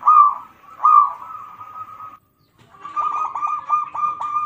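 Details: Local zebra dove singing as a lure to stimulate other birds: two loud staccato coos, then, after a brief pause, a quicker run of bubbling, repeated cooing notes at a steady mid pitch.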